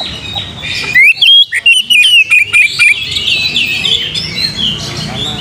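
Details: Oriental magpie-robin song played to provoke singing: a series of clear whistled notes, sliding and rising, delivered rapidly for about two seconds, followed by softer overlapping chatter and twittering from other birds.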